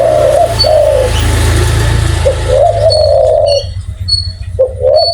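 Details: Spotted dove with a big, frequently heard voice cooing: muffled hoots partly masked by a loud rushing, engine-like noise, then clearer drawn-out coos and short notes once the noise drops away.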